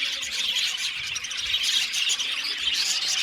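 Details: Aviary of Australian budgies singing and chirping: brief, busy burst of overlapping high twitters and squeaks, with a few clearer whistled notes poking through the chatter.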